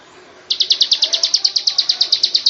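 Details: Bar-winged prinia singing for use as a training master song: after a short quiet start, a brisk run of high, ringing chips begins, about seven per second, evenly spaced to the end.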